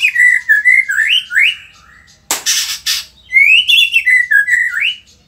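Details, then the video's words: Indonesian white-rumped shama in energetic song: rich, rolling whistled phrases that step up and drop back, cut by a burst of harsh noisy rasps, then more looping whistles. "auto emosi !! murai gacor super figter | shama bird Indonesia"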